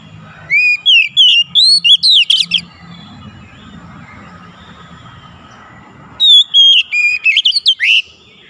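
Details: Kacer (Oriental magpie-robin) in gacor style, played to coax a silent magpie-robin into singing: two bursts of loud, rapid whistled and chattering notes, sliding and warbling high up, separated by a quiet pause of several seconds.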